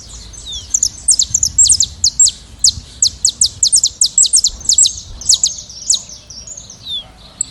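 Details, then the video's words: Saffron finches singing free in nature as a flock. Rapid series of bright, high, descending chip notes overlap in a busy chorus, with brief gaps between bursts. "canário da terra livre e cantando na natureza em rebanho"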